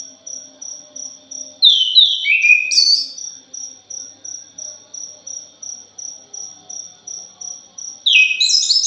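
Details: Lure recording of a thrush: a short descending cascade of warbled notes, a sharp upswept flourish, then another phrase beginning near the end, all over constant shrill insect pulses roughly three per second.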